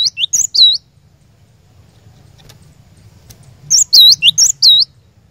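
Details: Cinereous tit lure song for caged birds: a few sharp dipping whistles, a three-second lull with low hum, then a loud string of four swooping two-note whistles.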